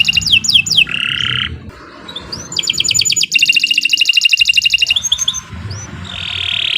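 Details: Canary lure song to encourage birds to sing: descending whistles, a buzzy tone, upslurred notes, then a loud fast trill and a closing nasal buzz.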